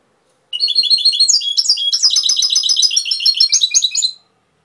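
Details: European goldfinch singing in the Cobia Málaga song style: a fast, unbroken run of bright tinkling twitters and buzzy trills lasting about three and a half seconds, with clean silence before and after.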